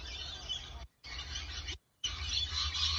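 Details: Lorikeets feeding on palm flowers give a dense, harsh, screeching chatter in broken bursts, with a low rumble of wind or traffic underneath.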